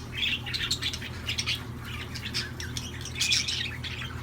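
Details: Budgerigars singing in a quick, scratchy chatter of squeaks and chirps, bursts crowding together with a steady low hum underneath.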